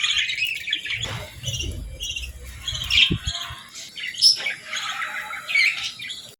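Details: Pet budgerigars, including a female, chirping on a calm morning in natural light while eating and bathing; bright squawky chatter and short chirps in bursts, with low thumps and rustling from movement.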